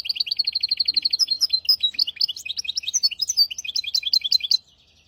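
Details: Tutor song of a hybrid finch for goldfinches and canaries, hafada and widani styles: it opens with a quick, even trill of paired high notes, shifts into varied, bubbling chirped phrases, and stops after about four and a half seconds.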